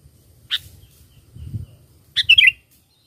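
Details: Sooty-headed bulbul, played as a bird-catching lure, gives a single sharp note followed by a quick bubbly run of four slurred whistled notes, with faint low background rumble.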